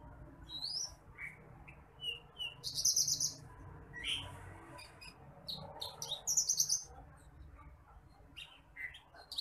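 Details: Branjangan apung, the bush lark of rice paddies, singing in a masteran recording for tutoring other birds: sharp high notes, upslurred whistles and loud buzzy trilled bursts, irregularly spaced.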